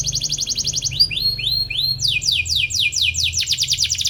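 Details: Atlantic canary chirping to provoke a rival, used to teach young canaries; a quick high trill breaks into a few slower upslurred whistles, then a series of descending sweeps repeated rapidly.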